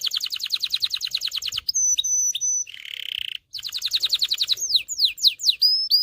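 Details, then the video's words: Canary song meant to teach young males to sing and stir females toward breeding: a fast rattling trill, a long steady whistle, a low buzzy roll, a brief pause, another trill, then sweeping down-slurred notes. "غناء طائر كناري لتدريب والتسميع ذكور الكناري على الغناء Canary singing"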